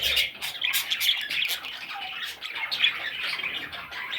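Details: Several young budgerigars squawking together: harsh, buzzy high chirps in quick, uneven bursts that build and fade throughout.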